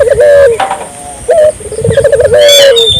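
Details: Barbary dove calling to encourage local doves to join in: a falling coo, a short abrupt note, then a quick rolled trill leading into a long sustained coo; a brief high twitter of another bird near the end.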